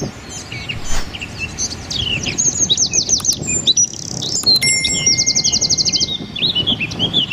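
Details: Small wren's dense shooting-style song for songbird training: varied high twitters and slurred whistles building into fast machine-gun trills, with a thin steady tone briefly audible near the end.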